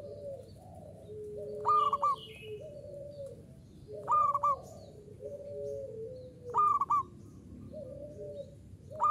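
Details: Perkutut lokal, a local zebra dove, sings actively in 'uraa umum' style. Its bright, clipped triple coo recurs roughly every two and a half seconds. Softer sustained tones from other birds fill the gaps, with a constant low background rumble.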